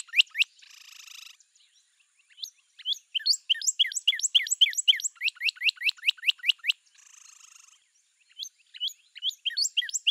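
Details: Northern cardinal song of quick, steeply sweeping notes repeated in long runs, broken by two short bursts of hissy noise.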